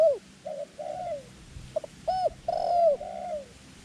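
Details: Dove kept as a decoy for luring wild doves to a ground trap, giving soft rounded coos: short notes, a quick double pip, then a long falling coo with a low murmur behind it.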